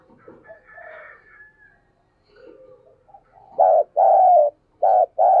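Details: Spotted dove kept as a decoy, delivering a vigorous urging call to provoke wild doves: soft murmured notes at first, then four loud, full, hollow coos in quick succession, the longest drawn out.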